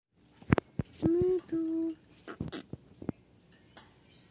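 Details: An Indian ringneck parakeet eating chocolate talks in two drawn-out, steady, voice-like tones amid sharp clicks and crunching from eating in a small room.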